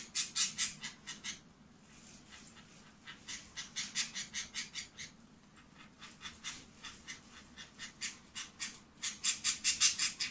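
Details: Female pet budgerigar, filmed secretly indoors, making a rapid buzzing "bububu" sound: bursts of harsh, clicking pulses, about two or three per second, in runs separated by short pauses.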